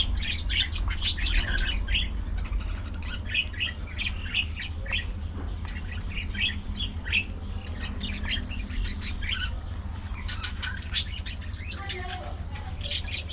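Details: Budgerigars feeding in the afternoon, chattering nonstop: a long stream of bright, staccato chirps and twittered phrases from several birds, about three or four notes a second, above a steady low background drone.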